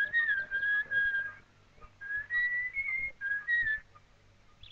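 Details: Red-capped Robin-Chat (Natal robin), an elusive fine songster and mimic of thick bush and forest, often heard but rarely seen, sings four or five clear, drawn-out whistles, each held steady or sliding slightly upward, with short pauses between them.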